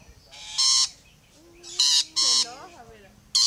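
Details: Rainbow lorikeets on a fence: loud rasping squawks separated by pauses, with a low, drawn-out tonal note and some wavering chatter in between.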